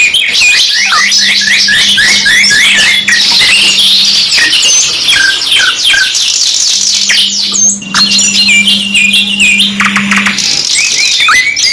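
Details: Canary song in a two-in-one training recording: long stretches of fast, rolling trills of bright whistled notes, alternating with buzzy passages and high sweeps, plus a steady low hum.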